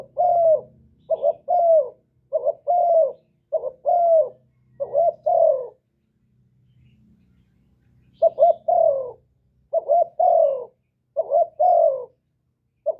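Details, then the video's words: Spotted dove song recorded with no noise, used to rouse kept doves into cooing: strings of short double coos and longer falling notes, a quiet gap of about two seconds midway, then the phrases resume. "Cu gáy lớn tiếng, không tạp âm, giọng hay dễ mở, cu gáy kích bổi, cu gáy đi bẩy, cu đất gáy, cu cườm"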